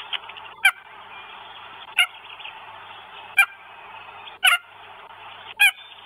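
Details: Northern goshawk with food, recorded in Estonia on 1 May 2022. Five clipped, harsh squawking notes come at irregular gaps of about one to one and a half seconds against a constant hissing background.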